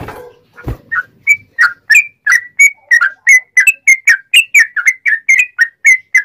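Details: Loud rapid song of a sooty-headed bulbul, meant as a training and provoking recording for other bulbuls. A low thump comes first, then clear whistled notes build into a fast, even series of rising and falling phrases.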